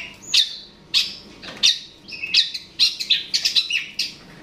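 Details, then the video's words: Long-tailed shrike (cendet/pentet) voice meant to provoke a rival: a few spaced harsh notes followed by a quicker run of mixed chirps and whistles. "Suara Burung Cendet/Pentet memancing Lawan"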